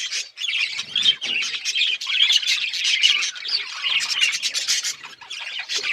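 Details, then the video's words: Mating budgies in a lively flock chorus: unbroken high-pitched warbling, chirping and grating squawks that rise and fall in intensity throughout. "Budgies chirping sounds budgies breeding"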